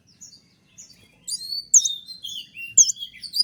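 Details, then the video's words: Konin singing in the 'tembakan' style, used as a master for training kept birds: soft whistles build into a dense run of loud high slurred and hooked notes with long descending whistles. "dengan suara tembakan seperti ini pasti bikin kelas kicau koninmu melecit tinggi"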